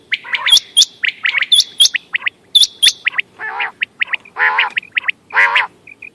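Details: Quail calls for hunting, recorded 14 May 2025: a busy run of short sharp chirps and high hooked whistled notes, mixed with harsher buzzy squawks rich in overtones, several birds calling at once, roughly one note each second.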